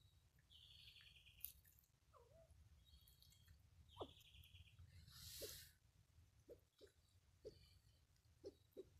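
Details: Mikado pheasant, a second-class protected species, giving low, short clucking notes about once a second in the second half. Higher whistled songs of other birds overlap throughout.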